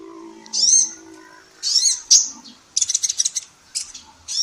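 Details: Training recording of a female sunbird known as kolibri ninja: high arched chirps and a short burst of quick ticking notes, over a faint low hum.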